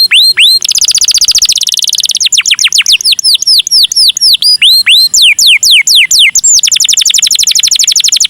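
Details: Canary song in the ornate cengkok mewah style: loud, high, fast trills and looping, whistled downward-sweeping notes repeated about four times a second, shifting between rolling phrases.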